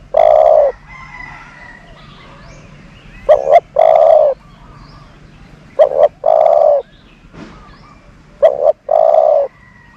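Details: Low, level coos from a decoy dove for luring doves, four phrases in ten seconds, each two clipped notes running into a longer held coo, with faint bird chirps in the background.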